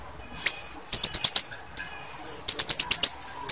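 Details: Female blue-crowned hanging parrot luring males to call. Clusters of sharp, very high, shrill chattering notes come in quick stuttering bursts, each under a second, separated by brief gaps.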